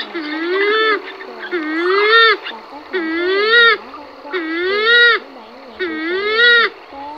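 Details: A purple swamphen gives loud, nasal, wailing calls that rise and fall, about one every one and a half seconds, with faint background noise; a lure recording of a male calling, used for trapping during the August 2023 migration, day and night.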